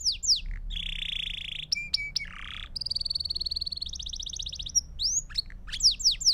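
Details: Song of a Belgian canary meant to teach young birds: sweeping whistles, a dense buzzy roll, a low rasping burst, then fast rattling trills and bright swooping notes at the close.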